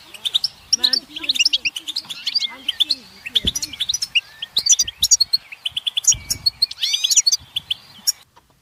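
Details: Group chirping of European goldfinches, calls used to rouse silent males into song: scattered sharp tweets and twitters, some sliding whistled notes and lower wavering sounds, thinning out and ending in silence.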